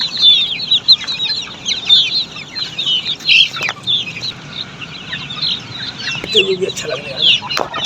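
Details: Australorp chicks on a poultry farm, a crowded brood giving a steady chorus of high, thin, overlapping cheeps, each a quick down-slurred peep, with a few sharp clicks and knocks in the background.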